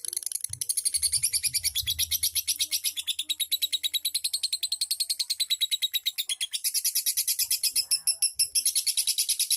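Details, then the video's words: Lovebird in ngetik ngekek song, a sustained, very high rasping chatter of quick repeated notes, steady throughout and growing louder near the end, nearly free of other sounds. "KICAU LOVE BIRD 100% MANTAB NGETIK NGEKEK"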